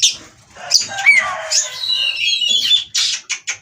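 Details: Oriental magpie-robin in breeding condition, 'ngobra' singing that starts soft, then rises into high whistled phrases and a thin rising note before ending in sharp clipped chips.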